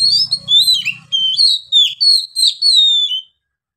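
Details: Oriental magpie-robin (kacer) delivering a long-breathed ngeplong phrase; about three seconds of smooth, high, drawn-out whistles joined by brief chirps, over a faint low hum that fades early.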